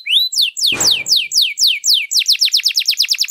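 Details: Canary singing a long, rich tutor song: a rising whistle, then a series of steep downward-sweeping notes about three per second, shifting into a quicker chattering trill, with one brief click or knock partway through.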